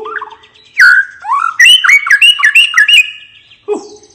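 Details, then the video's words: White-rumped shama giving relaxed 'ngeplong' song to coax silent birds into singing: strong whistled notes sliding up and down, a quick run of liquid warbled phrases, then a lower whistle after a pause. "suara murai batu ngeplong santai bikin burung bahan/macet cepat bunyi dan gacor lagi"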